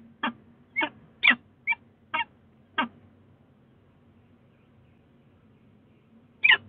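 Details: Peregrine falcon at the Sussex Heights nest box in Brighton, 22 February 2018, late conversation: a quick series of six harsh, chipping notes, then a silent pause, and one more note at the end.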